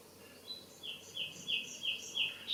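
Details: Common nightingale singing in a garden: a series of short, bright, whistled notes repeated about every third of a second, rising slightly at each end, over quiet background noise.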